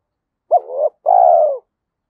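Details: Spotted dove singing in the 'giọng thổ' (Thúc Đấu) voice style, said to suit the forest and used when setting traps: one short two-syllable coo, a brief low hooting note then a longer, steady, slightly falling coo, in a quiet setting.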